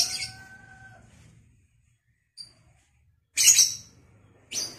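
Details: Lovebird recorded for vocal training, giving a harsh, high screech at the start, then after a pause two more short shrill bursts near the end, with faint low tonal sounds underneath.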